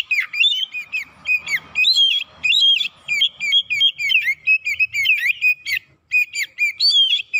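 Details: Oriental magpie-robin song played as a lure to provoke birds: a dense, almost unbroken stream of loud, varied whistles and rapid chattering notes.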